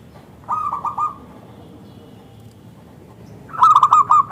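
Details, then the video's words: Zebra dove of the local type, valued for its thick, crystal voice and used to prompt other doves to respond: a brief cluster of bubbling coos, then a louder, sharper phrase of four or five notes three seconds later. "Perkutut Lokal Gacor SUARA Kristal TEBAL Jitu AHLINYA UNTUK pancingan perkutut NYAUT"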